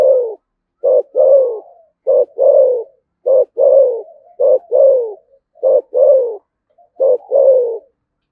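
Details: Spotted dove from Đồng Nai, Vietnam, giving "thúc gù" cooing in the "thổ sấm" voice. About seven steady pairs of a clipped note and a longer falling coo follow one another in an even rhythm.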